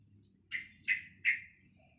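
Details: Young captive sooty-headed bulbul learning to sing, received at two months old in early November 2018, gives three short, bright chirps about a third of a second apart over faint low background hum.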